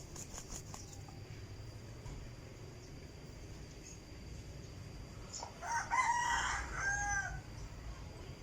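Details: Decoy chicken, recorded 2022, crowing once midway: a harmonic-rich call rising then holding level for about two seconds before fading, over steady low rumbling background noise and a faint high hiss.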